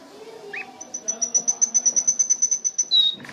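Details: Canary song: a fast series of about sixteen high, evenly spaced pips, ending in a short clear whistle, with a brief chirp near the start.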